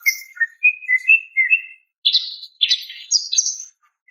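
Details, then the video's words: Slurred whistled notes from a female greater green leafbird calling a male, followed by harsh, buzzy bursts and a high thin whistle. Short and clean. "TERAPI BURUNG CUCAK IJO MACET DAN STRES DENGAN SUARA BETINA MEMANGGIL JANTAN"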